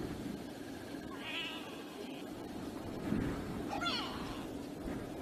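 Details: African harrier-hawk up close at a waterhole on Djuma Game Reserve, Sabi Sand, South Africa, on a windy afternoon; two thin, plaintive, mewing whistles, the second sliding downward, over steady wind noise.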